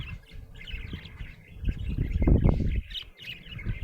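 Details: Happy budgerigar chirping continuously, squeaky warbled notes in quick succession over rumbling low knocks that swell in the middle.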